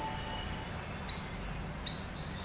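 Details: Cucak rawis chattering for training cage birds: two short, sharp, high chirps under a second apart, after a thin steady tone at the start.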